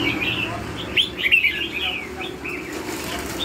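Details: Red-whiskered bulbul song in the "lân hầu bò" style, with a few arched whistled notes and a brief bright flourish, over faint steady background noise.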